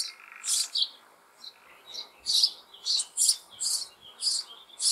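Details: Sparrow young in an old apple tree hollow in May, demanding food from the adults: high, rasping hissy calls in uneven bursts, a few faint knocks in the background.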